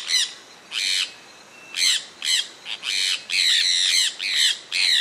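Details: Sulphur-breasted parakeet, a Brazilian resident of Pará and Amapá, giving shrill grating squawks roughly twice a second, irregular and sometimes doubled, in open countryside.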